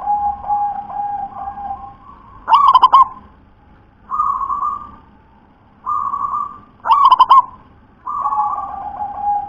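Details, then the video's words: Local wild zebra dove singing: long, steady low coos alternate with short, harsh, rattling bursts rich in overtones, the bursts coming about every four seconds; quiet background. "Suara perkutut lokal SUPER TEBAL ULEM"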